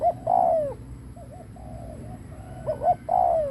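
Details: Lure spotted dove cooing to attract others: a long falling coo, a stretch of soft wavering low notes, then two short notes and another drawn-out descending coo.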